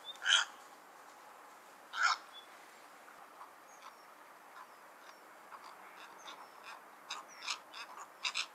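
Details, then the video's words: Cattle egret, known locally as Bagula, with two loud, harsh croaking calls about two seconds apart, followed by a busy run of softer clicks and brief chirps that grows denser toward the end. "Cattle egret call"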